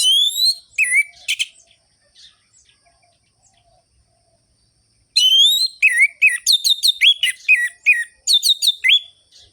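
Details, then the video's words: Orange-headed thrush singing hard in the sharp, rhythmic ngerol-ngeplong style, used as a lure for listless birds: a few swooping whistles, a quiet gap, then a long varied phrase of rising and falling whistles and quick chips. "ANIS MERAH GACOR ABIS untuk pancingan bunyi burung anis merah yang loyo"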